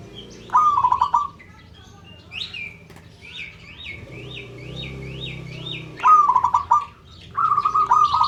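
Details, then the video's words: Calling local zebra dove meant to get other birds calling: short rolling coo phrases at start and end, while another bird gives a fast string of repeated rising-falling whistled notes in between, over a low hum. "Perkutut LOKAL Memanggil "Bikin yang Lain Ikut BUNYI""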